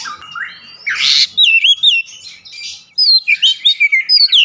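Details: An Oriental magpie-robin pours out gacor song: a rising whistle and a harsh rasp, then bright wavering whistled phrases repeated in quick succession after a short pause.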